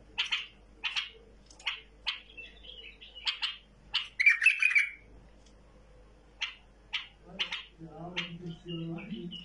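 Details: A tamed bulbul sings spaced sharp chirps and one loud warbled phrase midway, with a low murmur of voices in the last seconds.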